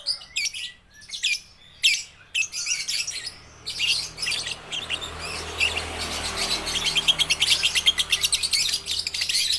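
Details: Young lovebirds learning song give scattered high chirps and squeaky bursts, then a fast, steady run of rapid ticking chatter, over a low rumbling background hum.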